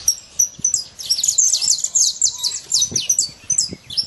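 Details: Free-ranging saffron finch singing fast strings of high, sharp chirps with short sweeping notes, over faint low background sounds.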